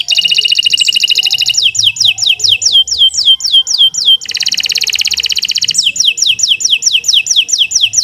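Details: Long gacor song of a Kenari Nusantara canary, a tutor recording. Dense rolling trills alternate with series of regular falling whistled notes, about four per second, with no pause between phrases.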